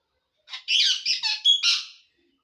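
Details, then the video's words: Green parrot talking while eating, apparently saying the Assamese phrase "ki kori asa", rendered as a quick series of raspy, high-pitched squawky syllables lasting under two seconds, with a brief clear whistled tone near the end. "green parrot🦜 talking / ki kori asa"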